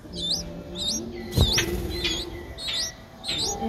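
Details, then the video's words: Nestling Streak-eared Bulbul at seven days old, Ubon Ratchathani, Thailand, April 2023, giving six clear high upswept squeaks spaced about half a second apart, one overlapping a brief thump. "นกปรอดสวน อายุ 7 วัน : Streak-eared Bulbul (Pycnonotus blanfordi)"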